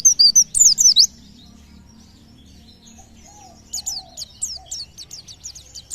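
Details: White-eye song, believed to draw nearby birds into singing: a burst of high, sharp, twisting chirps, a pause with faint low hum, then quick descending tweets repeated rapidly.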